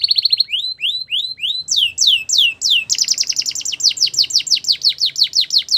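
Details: A Belgian canary sings to prompt other canaries; a rapid trill gives way to rising whistles and then falling slurs, finishing with a long, regular trill of down-swept notes.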